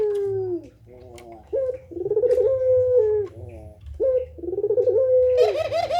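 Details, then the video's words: Puter pelung turtle dove calling tirelessly, used as a master recording for training other doves; deep, rolling, wavering coos that swell and fade with short pauses between phrases, ending in a louder vibrating purr. "suara burung puter pelung gacor tak terbendung2"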